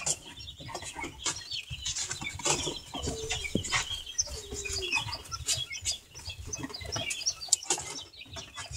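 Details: Young Satyr tragopans taking sand baths: a few soft, low, downward-sliding clucks and scattered thin high chirps over dense scratching, pecking and rustling of sand throughout.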